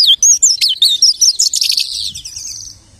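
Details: Lark imitating other birds with a quick string of bright, looping whistled notes that blur into a fading high trill.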